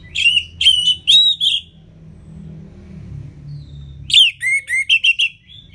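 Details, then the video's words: Orange-headed thrush song, used to prompt lazy birds to sing, from northern Bali: bursts of clear whistled phrases around a high pitch, a group of four notes, a pause with low rumble, then a faster run of rising and falling whistles. "ANIS MERAH Ngeplong Masteran Jahat Untuk Burung Yang Malas Bunyi Agar Lebih Gacor Selalu"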